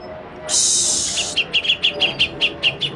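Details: Untrained grey-cheeked bulbul used as a lure and tutor recording: a long harsh hissing rasp is followed by an even series of short, sharp notes, roughly four per second.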